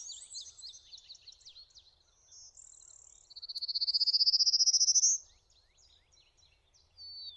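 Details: A Prairie warbler perched on branches gives its song, a fast series of buzzy notes climbing steadily in pitch for about two seconds, among high chips from other birds.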